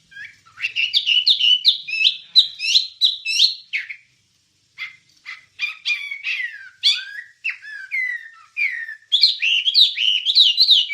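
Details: Wambie singing for songbird training: rapid bursts of varied chirping and whistled notes, about three per second, broken by a short pause, then resuming in a dense twittering stream.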